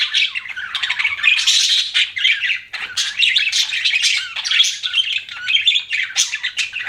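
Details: Continuous budgie warble: dense, scratchy chirps and squeaks running together without pause, rising and falling in loudness, broken only by a brief dip midway.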